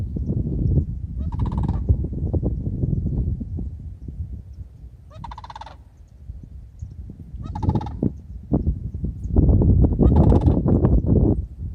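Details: On a morning at Lake Wailes, Florida, a Sandhill crane flying past gives four rolling, rattling bugle calls about every three seconds over heavy, rumbling wind noise.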